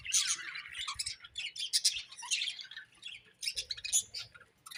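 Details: Budgerigars chattering in quick bursts of sharp, high chirps and short squeaky notes, with a quieter pause near the three-second mark before the chatter resumes.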